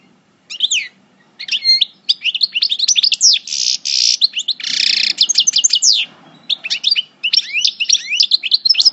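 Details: Parva goldfinch in moult, El Bordj, with coupleur-style singing: fast bright twitters mixed with harsh buzzy passages, running almost without a break for about eight seconds.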